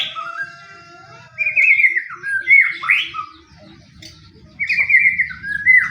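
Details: Bait song of a fighting white-rumped shama, intended to set any shama singing: a long low steady whistle, then loud swooping and slurred whistled phrases, repeated after a brief pause.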